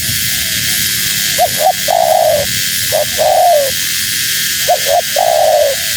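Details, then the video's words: Female spotted dove luring wild doves with repeated phrases: a pair of short hoots, then a long, gently falling coo, three times in a row, beneath a loud steady hiss. "Suara Burung Tekukur Betina Gacor‼️Tekukur Liar Pasti Tak Tahan Mendengar Suara Ini"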